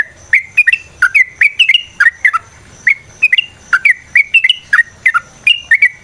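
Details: Yellow-vented bulbul in lively fighting song, a long rolling lure meant to provoke other bulbuls: bubbly, liquid, slurred notes in short paired bursts, repeated steadily about every half second, with an occasional thin high tone behind.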